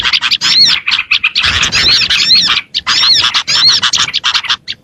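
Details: Lure recording for small birds, full of small birds calling: bright, high chirps and curved whistled notes in rapid bursts, with a thicker busy stretch in the middle.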